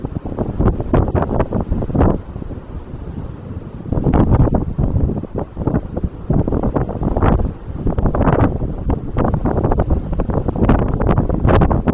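Steady wind buffeting the microphone with low rumbling gusts, and no animal calls.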